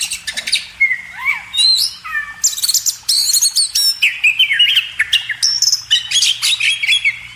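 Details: Oriental magpie-robin song used to train cage birds: clear whistles that rise and fall, mixed with dense clicky bursts and ringing high notes, delivered as a fast, unbroken medley.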